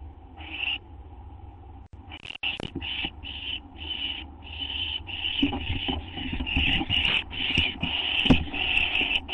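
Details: Owls at their nest shortly after midnight, 6 September 2011, at a food delivery: a long run of quick, rasping hisses growing louder, mixed with scraping, rubbing and knocking sounds in the nest.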